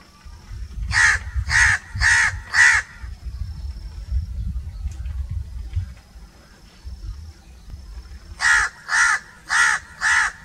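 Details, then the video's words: Two runs of four harsh crow caws, evenly spaced about half a second apart, separated by a stretch of low rumbling engine-like noise. "1 hour crow crowing sounds - one hour crow nonstop crowing voice - natural crow bird sounds"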